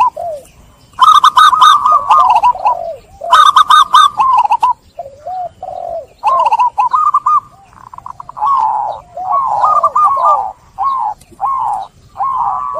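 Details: Zebra dove song used as a lure for stressed doves that stopped cooing after capture: loud bursts of rapid stuttered coos early, followed by a long chain of arched, slurred notes and rolling phrases.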